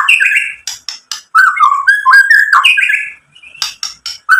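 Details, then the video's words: Song of a white-rumped shama meant to stir other shamas to sing: rich, warbling whistled phrases sliding up and down, mixed with sharp clicking ticks, fast and varied. "SUARA MURAI BATU memancing EMOSI jadi BUNYI NYAUT GACOR BONGKAR ISIAN | PANCINGAN MURAI"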